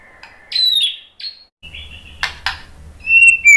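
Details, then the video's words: White-rumped shama (murai batu) song meant to provoke other birds into singing: short high thin whistles and slurred notes separated by pauses, with two sharp clicks and a faint low hum. "SUARA KICAUAN MURAI BATU bikin NYAUT jadi GACOR NGEPLONG ¦ PANCINGAN MURAI BONGKAR MATERI"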